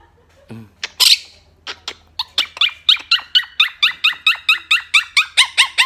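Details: Blue Quaker parrot talking to its friends: a brief low squawk, then a steady run of short, bright, harmonic chirps repeated about twice a second, each bending down in pitch, growing slightly louder toward the end.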